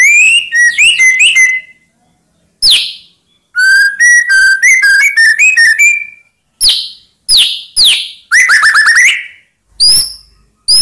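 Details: A white-rumped shama sings to stir rivals into replying: bursts of whistled notes alternate with short harsh calls, including a rapid rising chatter and several brief high notes.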